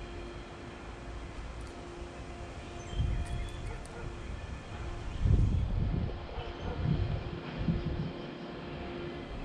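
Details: Steady low engine rumble and a constant hum, with louder swells of passing traffic or train noise and no animal voices.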